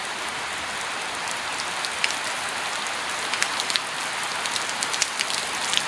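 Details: Steady hiss of rain falling on surfaces, with sharp scattered drops tapping throughout and no animal calls audible.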